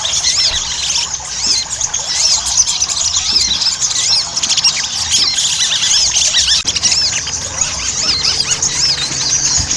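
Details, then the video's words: Ruby-cheeked sunbird chatter used as a lure to stimulate singing: high-pitched, rapid squeaks and curling whistles crowd together without pause for nearly ten seconds, one sharp click near the middle. "PANCINGAN SOGON AGAR CEPAT GACOR"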